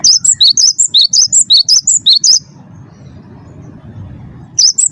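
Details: Champion wingko-type Cinereous tit singing as a lure for other songbirds. Fast series of bright, high whistled notes at about three per second for two and a half seconds, then low hum, then the phrase begins again.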